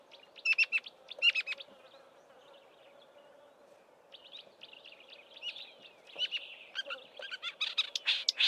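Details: Marsh warbler in Eastern Cape bush in March copying southern African birds: a few sharp chirp bursts, a quieter stretch of soft twittering, then a rising flurry of dense chattering notes.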